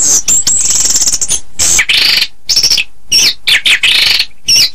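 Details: Chestnut-capped thrush singing high, thin, strained whistles alternating with fuller, rough warbled phrases, delivered in short loud bursts.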